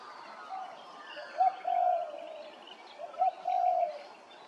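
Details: Grey-crowned babbler recorded at Hervey Bay, Queensland: two paired bursts, each a short sharp note followed by a longer mellow whistled phrase, spaced about two seconds apart, with faint background chatter.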